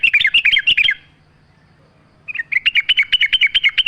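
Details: Sooty-headed bulbul singing on a training recording with nature sounds: a quick run of bright chattering notes, a pause of over a second, then a second rapid bubbly burst in the same high register.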